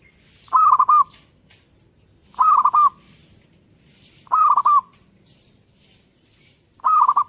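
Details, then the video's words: Perkutut, zebra dove, singing vigorously: four phrases of soft, hollow coos broken into quick notes at one pitch, repeated about every two seconds, with faint chirps of other birds. "burung perkutut gacor"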